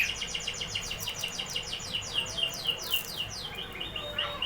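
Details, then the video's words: Canary producing a long run of rapid, evenly repeated sliding whistles, roughly four per second, with a sharp high note near the end. "canary singing"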